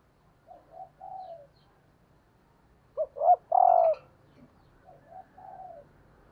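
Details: A hen spotted dove serving as a lure, calling to rouse males: a single loud phrase of two clipped notes and an extended coo, flanked by quieter distant-sounding coo phrases before and after.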